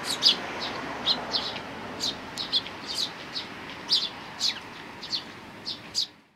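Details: Parent sparrows with chicks on 17 May 2019: a steady string of high chirps, often in pairs, roughly every half second, ending abruptly.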